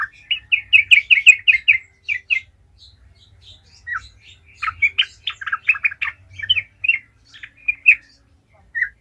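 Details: Sooty-headed bulbul song in the vigorous 'gacor ngalas' manner, played to stir other trucukan into song: a fast run of repeated bright chirps, a quiet gap, then varied warbling and clipped whistled notes spread over several seconds.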